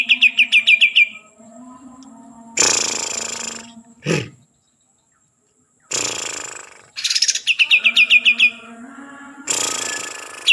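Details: Green leafbird from Kalimantan: quick series of bright, downward-sliding whistled notes, each about a third of a second apart, broken by loud harsh rasping bursts and short pauses, with a low steady hum underneath.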